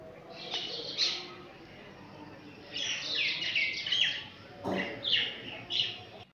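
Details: Common myna calling: loud bursts of harsh chattering mixed with bright whistled notes, arriving in clusters near the first, third to fourth, fifth and sixth seconds, separated by quieter pauses.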